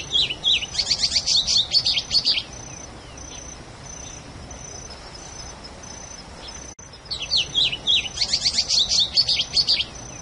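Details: Song of a plumbeous seedeater: two bouts of quick, high, tumbling chirps and trilled notes, each lasting about two seconds, split by a quiet gap where a pulsing high insect-like hum continues.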